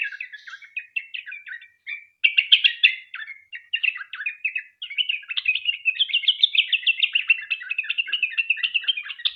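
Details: Long, rapid 'ropel' song of a sooty-headed bulbul, used to lure others into singing. Quick chattering notes come in bursts, then a dense, steady stream of high, clipped whistles over a quiet background.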